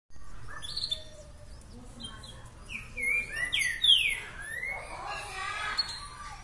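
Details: Green-winged saltator singing in the boca mole boi song style: loud, rich whistled phrases with sweeping rising and falling notes around 3 to 4 seconds, preceded by softer chirps and light background noise.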